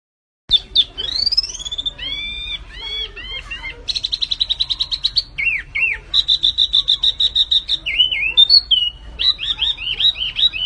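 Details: Flamboyan bird singing actively, a recording used to tutor and provoke caged songbirds: a loud, varied, high-pitched song with swooping whistled notes, buzzy rapid trills and repeated chirping phrases in quick succession.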